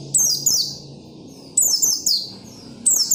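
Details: Persistent oriental white-eye song used to prompt other white-eyes to sing: bright, high descending whistled phrases, two or three quick notes per burst, repeated irregularly above faint low background noise.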